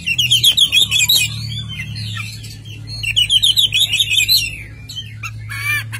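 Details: Oriental magpie-robin in full energetic song: rapid high trilled and chattering phrases in bursts, pausing and resuming, with a steady low hum beneath.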